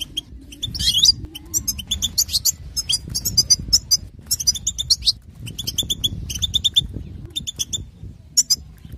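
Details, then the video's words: European goldfinch female batbata for prompting males to sing: dense, continuous high twittering and tinkling chirps in quick overlapping bursts, fairly loud throughout over a faint low hum. "بتبتة أنثى الحسون"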